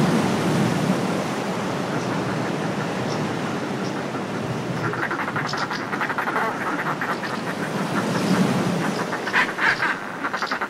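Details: Groups of northern fulmars displaying on cliff ledges give guttural, rapid cackling chatters that rise in the second half over steady sea wash, with faint high twitters from house martins.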